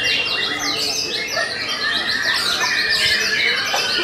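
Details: White-rumped shama, Belanda type, keeping up a stable song of fast repeated high whistles and chattering notes, roughly three per second, sharp and crowded together.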